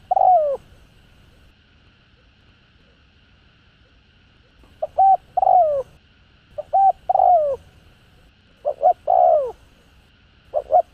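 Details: Spotted dove cooing played to lure wild doves, with scattered groups of short hollow notes followed by a longer falling coo, separated by quiet pauses of several seconds.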